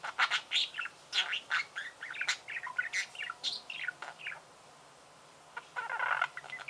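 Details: Budgerigar chirping: rapid bursts of bright, warbling chirps and short twittering notes, some rising and falling, coming in clusters with brief pauses, a short silent gap, then a final buzzy chattering burst.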